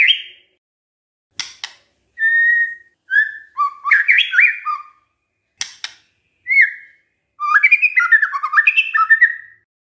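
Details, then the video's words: White-rumped shama singing a lure song meant to draw replies from other shamas: varied short whistles and sharp clicks, then a rich burst of jumping, warbled notes at the end. "pancingan murai batu GAK PAKE LAMA, murai langsung nyaut saat dengar ini"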